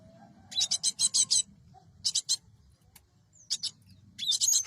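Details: Cinereous tit, used as a lure for trapping birds: bursts of harsh, buzzy, high chattering notes in quick runs, separated by short pauses, with a few thin whistled slurs between bursts.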